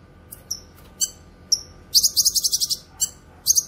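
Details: Grey-cheeked bulbul (cucak kinoy) song used for tutoring and luring: scattered thin, high chirps, then a fast run of about eight rattling notes, ending in another brief trill.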